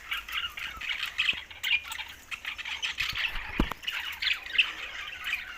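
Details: Green budgerigars at a meal, tagged Larkana, Sindh, give a constant murmur of raspy chirps and chattering. A single thump and low knock sound near the middle.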